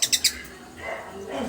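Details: A newly arrived pet parakeet gives three quick, harsh chirps in a row, then softer warbling chatter follows.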